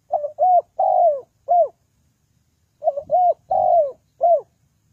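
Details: Coo of a spotted dove, used as a decoy in trapping. Two phrases of four hollow, arched notes, the third longest and loudest, with a faint low knock behind the second phrase.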